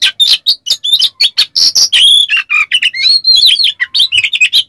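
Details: Oriental magpie-robin in heated song, used as a lure to provoke other kept birds into singing: a fast unbroken stream of harsh rasping notes mixed with sharp whistles and chattering bursts.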